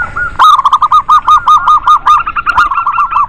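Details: Lively lure recording of local zebra doves, meant to stir reluctant doves into singing: a steady run of clear, arched cooing notes at mid pitch, repeated quickly about two or three per second, opening after a short pause.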